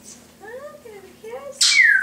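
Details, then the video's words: Pet Timneh African grey parrot indoors, imitating household sounds: a few soft, nasal, speech-like or meow-like voiced syllables rising and falling, then a sudden loud harsh screech sliding down into a clear whistle. "African Grey: twenty sounds"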